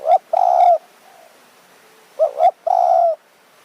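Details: In the evening in the high mountain forest of Thong Pha Phum, Kanchanaburi, Thailand, a spotted dove gives two soft, hollow cooing phrases about two seconds apart, each a short note then a longer, slightly wavering coo, during decoy-dove calling.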